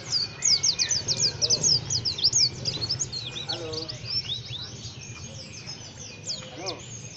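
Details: Rough, scratchy chirping from a white-eye, starting as a fast burst of sharp high twitters and thinning into looser chirps, with a few faint lower call notes in the middle and a steady low hum.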